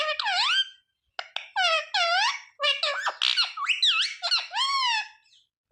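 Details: Ringneck parrot saying words like mummy, papa and mithu in a quick chattering stream of squeaky, pitch-bending syllables with brief gaps between bursts.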